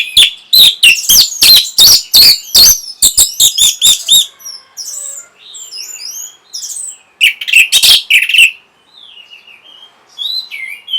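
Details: Orange-headed thrush singing to encourage breeding drive and replies: a dense opening run of loud harsh strident notes, then a quieter patter of thin twittering whistles and a second burst of harsh notes.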